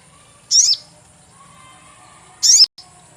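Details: Sogon lure call: two shrill, very high 'cuit' chirps about two seconds apart, each a quick downward sweep, the second cut off abruptly, over a faint steady hiss.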